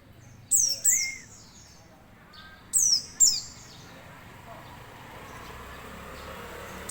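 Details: White-eye (pleci) giving short bursts of sharp, very high, thin chirping notes, two pairs of quick downslurred notes separated by a pause, with one lower whistled slur, over a quiet, faintly hissing background.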